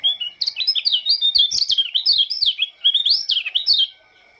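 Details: Oriental white-eye from Lombok welcoming the morning dew with a continuous, rapid, high-pitched warble of thin, slurred chirps, each note quickly rising and dropping, ending abruptly.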